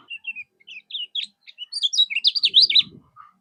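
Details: Common Iora singing in 'mol' style as a tutor for songbirds: spaced short chirps, then an accelerating, loud run of zigzagging high notes with a low rustle underneath.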